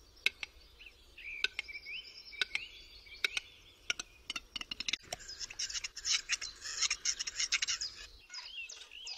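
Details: A displaying western capercaillie at the start of the mating season in forest gives dry, woody clicks that speed up into a rapid rattle, then a scraping, wheezy phase. Small songbirds twitter throughout.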